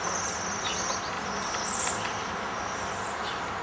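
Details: Flock of Bohemian waxwings feeding on berry trees in winter; high, buzzy trilled whistles run nearly throughout, with one louder trill midway, over a steady noisy hiss.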